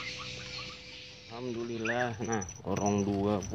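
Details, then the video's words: White-browed crake calling, a recording used to lure birds for trapping: two bursts of harsh, harmonic chattering notes that rise and fall, with steady background hiss and faint distant chirps. "masteran burung tikus tikusan alis putih cocok untuk pikat"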